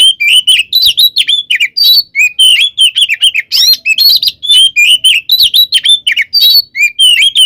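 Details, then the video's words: Oriental magpie-robin in full 'tarung konslet' fighting song, used as a lure to provoke other birds; dense, fast sequence of bright rising and falling whistles mixed with harsh chatter, continuous throughout. "SUARA BURUNG kacer gacor TARUNG KONSLET full isian ini AMPUH buat PANCINGAN KACER agar EMOSI"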